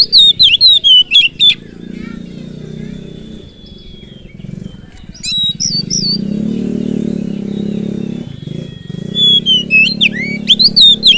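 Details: Oriental magpie-robin (kacer) lure song meant to provoke other birds and fire them up: bursts of sharp, varied whistled notes open and close the stretch, with a steady thin tone and a low droning hum between them.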